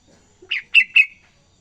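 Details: Young yellow-vented bulbul learning its song: three clear, slurred chirps, the last drawn out into a short whistled tail, in a quiet setting.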